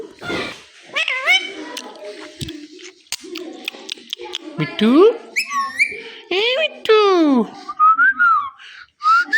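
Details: Chattering from an attention-seeking pet Indian ringneck parakeet: mumbled low syllables, several loud descending harmonic squawks, then short whistled notes near the end.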